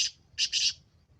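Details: Short fragment of a black francolin call, three rasping, high-pitched notes in quick succession, the last two running together, over a faint low background hum.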